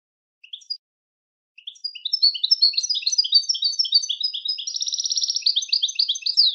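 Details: European goldfinch song starting with a few scattered high chirps, then a sustained stream of tinkling twitters with a buzzy trill near the end, continuing several seconds.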